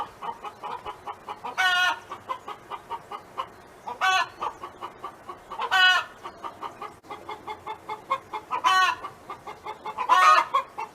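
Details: Farm hen sings five loud, nasal, drawn calls about two seconds apart, each set against a steady run of soft, fast clucks.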